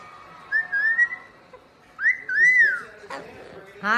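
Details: Pet parrot whistling: two clear, pure whistles, the first gently rising and the second arching up and down, then a short click and the start of a buzzy sound.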